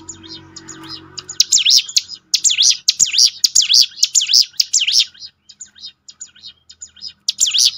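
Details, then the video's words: Prinia singing for a recording meant to make birds sing more readily: quiet low hum at first, then bright bursts of swooping, up-and-down whistled notes repeated roughly twice a second, trailing into sparse twitters. "ciblek gunung mana yang gak tergoda ikut berbunyi"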